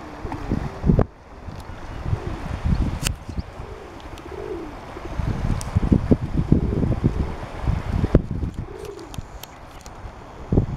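A black swan gives soft, rounded, slightly rising and falling crooning notes a few seconds apart, half-buried under heavy wind rumble and handling thumps.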